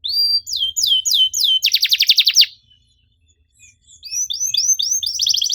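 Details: Canary singing looping upswept whistles followed by a burst of rapid buzzy trill, then about a second of silence before softer arched notes and another quick trill return; used as a bait song for quiet canaries.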